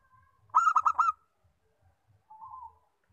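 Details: Local zebra dove delivering a fast staccato run of bright coos, followed by one mellow, drawn-out coo, with light knocking beneath.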